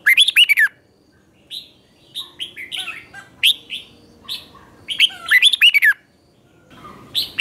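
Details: Morning song from a red-whiskered bulbul, used to coach and provoke other bulbuls: two quick bursts of looping, bubbly whistles separated by scattered single slurred chirps.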